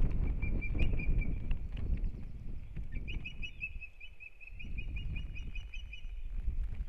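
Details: Osprey at the nest in Kurzeme, Latvia, beginning the breeding season in April 2022: a brief whistled note, then a quick string of sharp, piping calls, all over steady low wind rumble.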